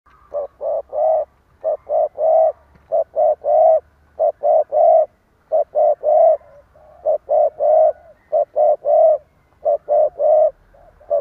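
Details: Spotted dove, a decoy bird giving a stuttering, urging coo to provoke rivals: dense runs of low, hollow coo notes, short and long mixed, in rapid uneven bursts throughout with brief gaps.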